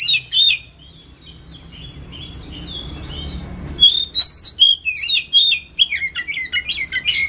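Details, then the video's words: Oriental magpie-robin, locally kacer, giving ngetem lure song: an opening whistled phrase, a few seconds of soft warbling over low background noise, then loud rapid whistles and harsh chattering notes. "PANCINGAN BUNYI KACER NGETEM"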